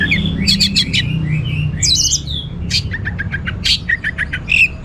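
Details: Orange-headed thrush singing in lively gacor teler style, a mix of sharp chirps, short whistles and a slurred buzzy phrase, delivered in quick uneven bursts over a steady low rumble.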